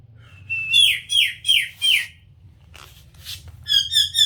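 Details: A pet talking rose-ringed (ringneck) parakeet speaks in high, harsh, nasal syllables, saying "mitthu" and "mitthu churi khani hai" (wants to eat churi). Four quick falling notes, a pause, then a brief burst of chattering phrases.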